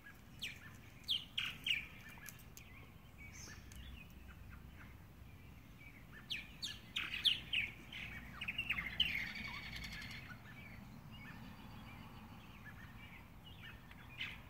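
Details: Subadult purple martin pair, a one-year-old male with his mate, nesting alone in a sixteen-compartment house and returning to roost at sunset after a day of feeding; scattered bursts of gurgling, chirping notes, with a denser chattering run mid-clip over steady low background hum.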